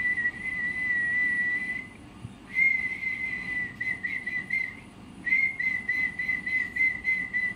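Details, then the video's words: Parrot whistling long flat notes, then shorter ones with a slightly buzzy, harmonic-rich quality, repeated in quick bursts over a soft low hum. "Parrot chirping sounds"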